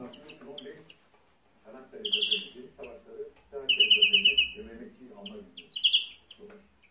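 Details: A European greenfinch sings fast, rippling trills around a bright, mid-high pitch, broken up by twittering notes and brief pauses, with softer chatter underneath.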